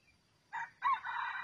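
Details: Red junglefowl crow recorded while wild junglefowl are trapped with a decoy cock: a short harsh opening syllable, a brief pause, then a loud, drawn-out raspy crow.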